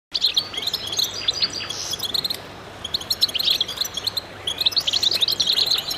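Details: Chorus of goldfinches singing together in concert: dense, bright twittering and chirping with quick high notes overlapping, in bursts that pause briefly near the middle and then resume.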